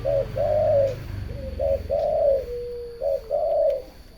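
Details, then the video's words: A turtle dove's low purring song, three couplets of a clipped opening note and a longer warbling coo, repeated about every one and a half seconds and clear above a quiet background. "The melodious sound of turtle doves"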